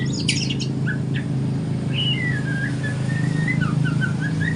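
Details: Young spotted white-rumped shama singing in the morning while learning. A brief burst of high notes leads into a long, softly wavering whistle that rises and falls, over a heavy low hum.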